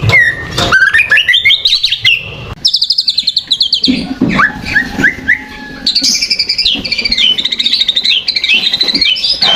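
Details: Provoking lure song of a white-rumped shama, mixing rising whistles, a fast rattling chatter, rolling warbles and looping high trills that swing up and down, loud and continuous.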